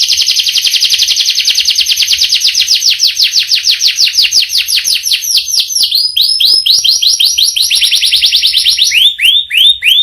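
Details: Canary with a rich, varied song rolling continuously for ten seconds: a fast buzzy trill of repeated notes, a brief change of phrase, then slower descending whistled sweeps to close.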